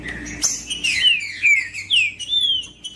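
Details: Trinca-ferro, the Green-winged saltator, singing strongly: rich, continuous whistled phrases with sweeping downward and rising slurs, several bright notes linked together over three seconds, with faint background hiss.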